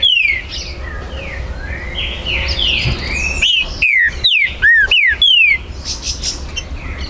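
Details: Green-winged saltator known locally as trinca-ferro, a territorial bird recorded 19 September 2020 at an amateur breeder's place. Soft twittering background, then a rapid string of about seven loud, clear, falling whistles.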